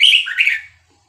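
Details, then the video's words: Fragment of song from a caged Vietnamese-type red-whiskered bulbul, used to tutor young birds: a single loud slurred, warbling phrase under a second long, fading out. "นกกรงหัวจุกเวียดนาม 3-4-5-6-7 เปิดสอนลูกนก เปิดยั้วนกฟังนกคึก"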